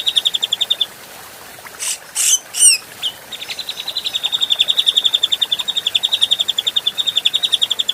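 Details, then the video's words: Grey-cheeked bulbul, an adult bird recorded for daily training of other cage birds, alternates long rapid repeated-note trills with a burst of three harsh, buzzy chirps in the middle. "Masteran Burung Cucak Jenggot Paling di Cari Mp3 Jernih Bisa di Coba Pasti Respon"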